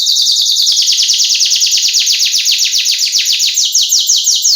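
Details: Canary song meant to lure a male and serve as a tutor: a rapid, sustained roll of buzzy down-slurred notes, very even and loud, dipping slightly lower toward the end.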